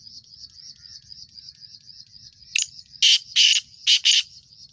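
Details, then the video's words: Young male black francolin in its first season, calling: after a quiet stretch, one short harsh note leads into four loud, grating, buzzy notes in quick pairs. A steady high insect drone runs throughout. "کالا لکا پٹھا پہلا سیزن ماشاللہ زبردست چل بلائی اور اسپیڈ"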